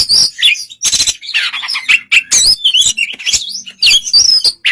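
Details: White-rumped shama in relaxed song used to coax another bird to respond; dense, continuous jumble of warbled, scratchy and whistled notes with rapid changes in pitch.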